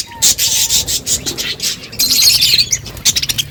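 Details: Budgies eating and chirping: bursts of high, scratchy chatter mixed with a steady run of sharp clicking sounds, busiest in the middle, with a faint low whistle near the start.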